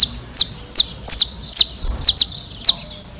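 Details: Saffron finch (canário-da-terra) from Brazil singing a series of sharp, high chips that slide steeply downward, delivered in quick, slightly irregular bursts about every half second, with faint low background rumble.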